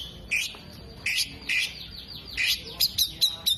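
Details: Oriental magpie-robin singing with fanned tail and imitating kolibri, jenggot and lovebird; harsh broadband rasps separated by pauses, then short bright chips close together.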